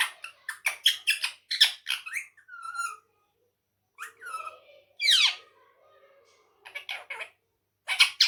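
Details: Ring-necked parakeet mimicking Urdu and Hindi speech: loud, rapid squeaky syllables in quick series, a short whistled note, a harsh downward screech near the middle, and more clipped bursts after brief silences.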